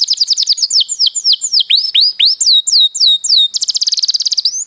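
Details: Canary singing as a master recording meant to lure and train other canaries: rapid trills and repeated down-slurred whistles sweeping from about 5k to 2k, a fast buzzy rattle near the end, clean without background noise.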